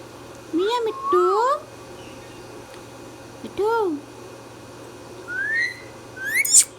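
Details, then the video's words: Pet Indian ringneck parrot indoors, producing voice-like arching harmonic phrases, then rising whistles, ending in a short harsh screech; steady low room hum behind. "Ringneck Parrot Talking"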